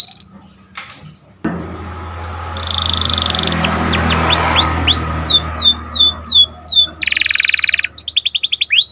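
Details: Atlantic canary song in the sharp rolling 'cuit cuit' style used to train canaries and prompt breeding birds to sing: after a low hum, buzzy bursts give way to rapid falling whistled slurs, then a dense trill and quick repeated notes.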